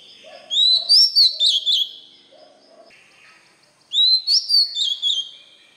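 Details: White-rumped shama song for teaching young birds: two bursts of ringing, rapidly changing whistles, with soft low chirps between them.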